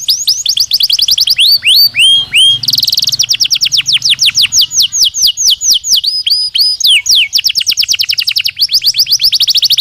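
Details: Natural singing of a Belgian canary: long chains of quick repeated downward-sweeping notes that change speed and pitch between phrases, with a brief buzzy trill and a few clear whistles.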